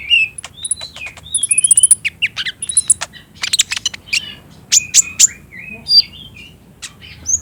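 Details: Olive-backed sunbird lure song for getting a caged bird to reply and sing, phone-recorded. Rapid high chips and brief downslurred whistles in scattered bursts, with a dense chattering run in the middle.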